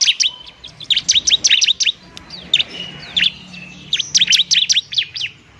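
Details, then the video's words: Bar-winged prinia, a fighting bird used as a lure to stimulate lazy birds to sing, gives two fast bursts of high, bright, clipped chirps, each a rapid string of sharp notes, separated by a quieter pause. "ciblek semi gacor, ciblek TARUNG mantap buat pikat dan PANCINGAN ciblek semi malas bunyi"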